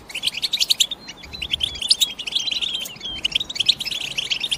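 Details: European goldfinch twittering in high, clear chirps mixed with thin, slightly drawn-out whistled notes, delivered in lively, irregular bursts.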